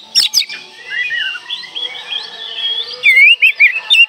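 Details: Song of an oriental magpie-robin meant to trigger silent birds into song: sharp clicks open, then a long varied warble of sliding whistles ending in loud looping phrases.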